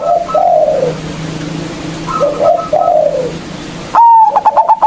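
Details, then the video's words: Local zebra dove with a big voice, recorded as a lure to provoke rival birds into singing. Softer background cooing from other doves, then a loud, clear drawn note breaking into a quick run of four or five stuttered coos. "Perkutut Lokal GACOR suara Besar Ampuh memanggil Lawan_EMOSI MANGGUNG PANCINGAN PERKUTUT LOKAL"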